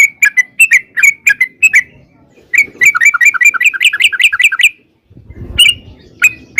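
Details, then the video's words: Yellow-vented bulbul, long 'ropel' song for luring replies: scattered whistled notes, then a fast rolling run of bubbly warbles, a pause with low rumble, and a few final sharp whistles. "trucukan gacor TARUNG ROPEL PANJANG pancingan trucukan agar bunyi jadikan burung trucuk gacor NYAUT"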